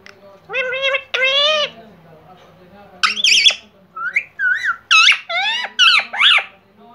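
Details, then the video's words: Uncaged pet Indian ringneck parrot talking, two drawn-out speech-like phrases followed by a quick run of high whistles, bent squawky notes and chattering syllables, loud and close indoors. "Bolne Wala Tota || Best Talking Parrot"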